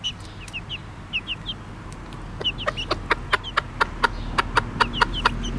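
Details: Bobtail-coloured Pekin bantam mother hen with chicks: high descending peeps from the chicks open the recording, then the hen starts quick, evenly spaced clucks, joined again by chick peeps.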